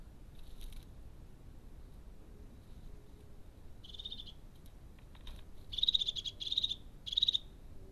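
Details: Crested tit gives short, high, buzzy purring trills in four or five bursts, the last ones louder and close together, over faint background hiss.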